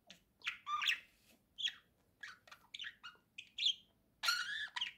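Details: Domestic budgerigar on a swing talking away in a steady stream of short, scratchy chirps and squeaks, broken by brief gaps and ending in a longer, harsher warble.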